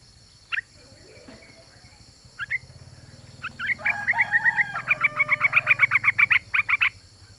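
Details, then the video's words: Female trucuk calling the male: a few scattered notes, then a long run of rapid, bubbling whistled notes repeated about three per second, over a steady high hum. "Trucuk Betina MEMANGGIL JANTAN ‼️Suara Trucukan BETINA"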